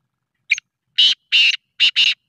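Black francolin giving a short clipped note, then four harsh, grating bursts in quick succession, each about a quarter-second long. No other sounds.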